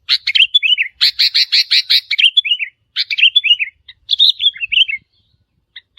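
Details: Wild sooty-headed bulbul calls used to challenge territory holders: rapid bubbly, liquid notes in quick bursts, then short warbled phrases that dip and rise, with brief pauses between groups.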